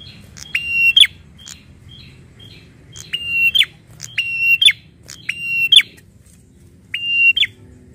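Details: Prinia, described as agitated and angry, giving loud buzzy harsh notes, each a flat nasal drone ending in a sharp flick, repeated roughly every one to two seconds, with soft short chips between them.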